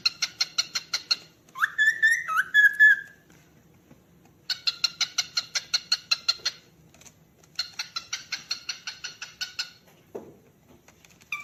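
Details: Calling cockatiel producing long runs of rapid, clicking pulsed notes alongside a loud rising whistled call, in three separated bursts with silence between them; a single low thump near the end.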